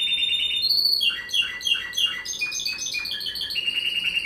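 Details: Spanish timbrado canary, 2018 Brazilian champion in the pair category and best original singer: an unbroken stream of bright, bell-like trills, quick repeated notes and descending slurs, loud throughout over faint hiss.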